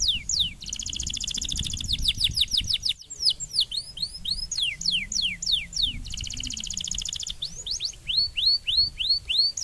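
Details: Canary singing as therapy for a lesser fighter bird: quick falling whistles, brief gap, then varied slurred notes and a long buzzy trill, followed by repeated upswept chirps in a lively, continuous run.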